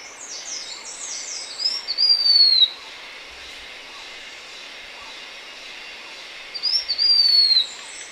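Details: Blue-winged minla calling: two thin, high whistled phrases about five seconds apart, each a few slurred notes sliding downward, over a faint steady hiss.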